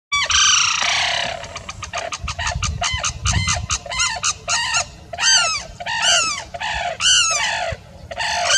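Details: Sarus cranes during courtship display give loud, ringing trumpeted notes in a fast, rhythmic series, several overlapping in a brassy duet, over faint background rumble.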